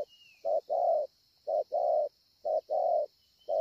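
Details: Spotted dove, a scar-breasted 'bổi' bird, at Ngọc Hồi, Vietnam, 25 March 2020: three low coo pairs, each a brief note followed by a longer mellow one, spaced about a second apart, with a steady high-pitched hum in the background.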